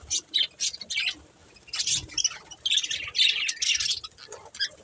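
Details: Budgerigars kept as a breeding pair give short bursts of high, harsh chirps and squawky chatter, coming in clusters with quiet gaps between them.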